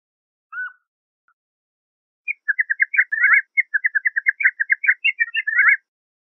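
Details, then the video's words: Gray jay, also known as Canada jay, singing: one soft whistled note, then a lively stream of quick chirping and warbling notes lasting about three and a half seconds. "Canada/Gray Jay Song! Canada/Gray Jay Voice!"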